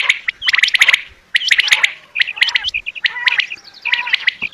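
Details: Chattering quail calls, bater in the local tongue, recorded for bird hunting: dense bursts of high chirps mixed with short looped whistles, arriving in irregular groups over a faint background hiss.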